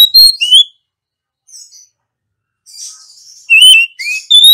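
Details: Singing female Oriental magpie-robin, used to stimulate other birds to sing: a burst of high whistled notes including a rising slur, a long pause with faint soft notes and a brief rasp, then further varied sliding whistles.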